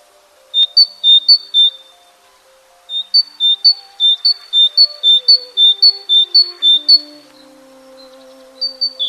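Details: A great tit in winter, staying close to people's homes when insects are scarce, sings bright, ringing two-note phrases repeated quickly in a see-saw 'teacher-teacher' rhythm.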